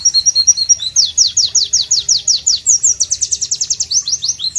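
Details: Loud White-eye (Pleci) song opening with quick high stuttering notes, then a fast regular series of sharp downslurred strokes, accelerating into a dense trill of high notes.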